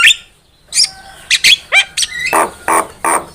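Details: Javan myna lure song for trapping, short and varied: a high squeak, a pause, then rising whistled notes and rough, buzzy squawks with faint background hum.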